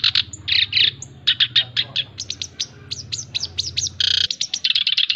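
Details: Chattering song of a male black-browed reed warbler, kept for training and luring birds: harsh churrs, upward-flicking whistled notes and dense scratchy trills, delivered in quick varied phrases, with an abrupt edit break and low hum.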